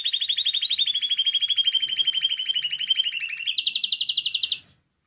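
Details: Canary singing, recorded to stimulate other canaries to sing: a loud, fast rolling trill around mid-high pitch held for over three seconds, then switching to a higher, slightly faster trill before stopping abruptly.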